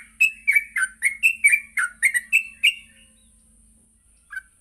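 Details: Yellow-vented bulbul morning song used to train captive birds to sing and chatter: a rapid run of about ten bubbly, warbled notes over two seconds, then a pause and one short closing note.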